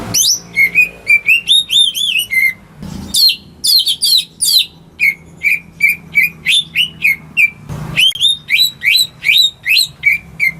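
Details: Greater green leafbird kept at home, singing as a lure for birds that have stopped singing: long run of clear, slurred whistles, rising and falling, paced roughly every third of a second, broken by two brief pauses.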